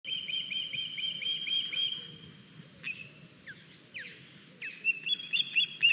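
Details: Estonian ospreys at a nest on 9 August 2021, a young bird arriving with a big fish; a rapid series of high, squeaky whistled chirps for about two seconds, then scattered short sharp notes, with a low rumble beneath.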